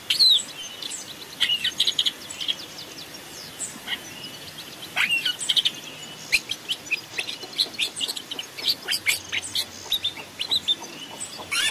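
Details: Masteran decoy song of a long-tailed shrike recorded in the forest: a busy stream of thin high chirps, clicks and raspy notes, louder at the start, then a dense rapid chatter through the second half with faint background rustle.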